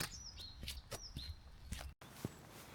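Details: In early February, with light rain, a song thrush sings in pastoral Ribble Valley farmland in England, heard as a high, clear whistled phrase sliding downward, repeated twice quickly, over crunching footsteps; it is taken as a sign of spring.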